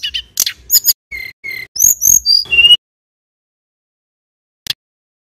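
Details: Male mountain tailorbird from Banyuwangi singing a brief burst of high whistled slurs and short trilled chirps for under three seconds, then silence broken by one sharp click.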